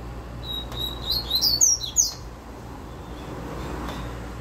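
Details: Fast tui tui zeu song from a caged double-collared seedeater: a few level whistles speed into a rapid burst of sharp, high, falling slurs lasting about two seconds, then quiet with a constant low hum.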